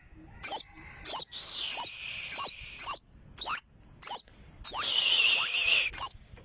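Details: Olive-backed sunbird (burung madu sriganti): sharp, high, whip-like notes repeated about twice a second, broken by two longer hissing bursts.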